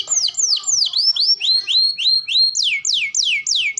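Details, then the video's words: Canary singing in a training recording for young birds: a series of loud swooping whistles, first falling, then rising, then steeply descending, repeated about three per second. "KENARI GACOR TEMBAKAN ISTIMEWA LANSUNG RESPON MASTERAN TERBAIK UNTUK KENARI PAUD| BAHAN|DEWASA"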